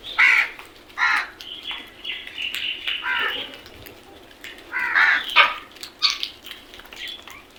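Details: Group of crows: repeated harsh caws and scratchy notes through the whole stretch, several birds overlapping, loudest at the start and near five seconds.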